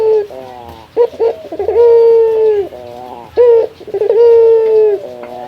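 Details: Male local puter dove calling a rival. Stuttering short notes lead into long, smooth, slightly falling coos, with the pattern repeated twice over a quiet background.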